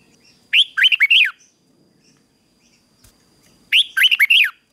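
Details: Red-whiskered bulbul in morning fighting song, used to train wild-caught birds to sing: two brisk phrases of looping, bubbly whistled notes about three seconds apart, with quiet between them.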